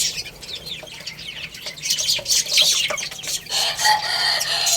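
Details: Chicks playing and eating, their many high chirps overlapping. Soft taps follow, then a rushing hiss over the chirping near the end.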